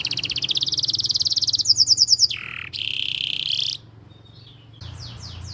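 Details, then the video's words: Canary song used to train young canaries: a dense rapid trill, then a metallic double-noted trill, a lower buzzy stretch, a bright rolling trill, and after a pause quick rising sweeps. "Kenari Gacor Speed RAPAT cuit cuit Ngerol Tajam 99% Ampuh untuk Pancingan Kenari Paud Belajar Bunyi"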